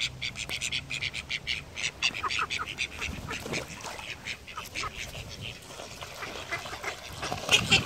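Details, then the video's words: Flying call ducks give a dense run of loud, raspy quacks. The calls overlap and pulse quickly throughout, with a brief low hum near the start. "Flying call ducks"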